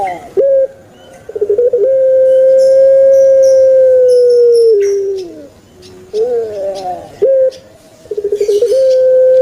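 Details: Pet turtle dove of the puter pelung type kept in captivity, giving its long, deep kwok coo: a steady low tone held about three seconds, then a falling slur, and shorter coos after a pause, with faint clicks in the background.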